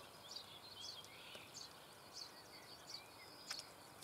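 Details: Common starling young fed by an adult in a nest hole in the Eifel near Büchel, Germany: thin, high chirps and squeaky notes come in scattered, irregular bursts over a steady hiss of background noise.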